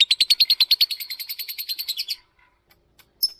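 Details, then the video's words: Lovebird in ngetik ngekek chattering song, played to prompt other lovebirds to sing: about two seconds of quick, even, sharp staccato notes, then silence and one final high chirp. "kicau lovebird pancingan lovebird ngetik ngekek"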